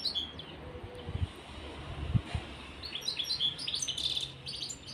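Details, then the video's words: European serins, a pair in a cage, with a scratchy stream of high fast chirps and trills building in the second half, and a few low thumps. "طائر البسبوس في القفص_serin cini en couple dans la cage"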